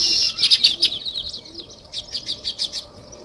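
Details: Quick series of sharp, high sparrow chirps, loud and crowded at first, then thinning into evenly spaced separate chirps that fade.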